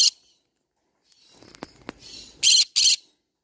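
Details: Green-cheeked conure with soft scratchy chatter and clicks building up, then two loud harsh screeches in quick succession.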